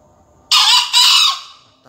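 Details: A young green junglefowl, a finalist in an Indonesian junglefowl crowing contest, crows once at 5 a.m.: a coarse, hoarse double note, the second part longer and fading, with a voice starting at the very end.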